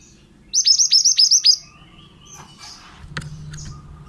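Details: Pied bushchat male in vigorous song, recorded to train other birds: a fast run of high, steeply falling whistles lasting a second, followed by soft scratchy noises and clicks.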